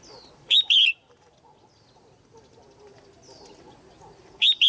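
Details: Caged female red-whiskered bulbul calling to stimulate males or for pairing: two bursts of short, warbled double notes, high and bright, one early and one near the end, with a faint descending whistle before each.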